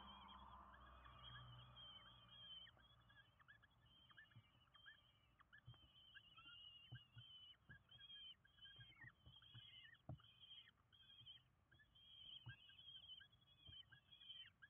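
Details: Hungry common kestrel young, five in a nest in Windsbach, Germany, being fed on 27 June 2022; high quavering calls rise and fall in rapid repeated bursts, with light knocking below.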